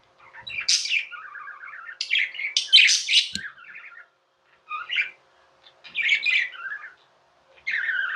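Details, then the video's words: Tame budgerigars kept as pets, chattering in loud, grating warbled phrases with rolling lower notes, then shorter bursts after brief silences. "Budgies | Talking | Singing | Chirping sounds"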